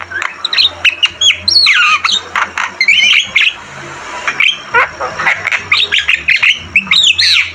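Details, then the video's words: Javan myna singing vigorously in a tutor recording: dense run of scratchy squawks and looping whistles, steady and busy throughout, with a faint low hum behind. "Masteran burung jalak kebo gacor Terbaik"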